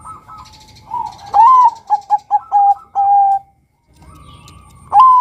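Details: Bangkok-type male zebra dove sings to lure and provoke other males: a sliding upward note, five short staccato coos, then a long steady coo, followed by a pause and the rising start of the next phrase.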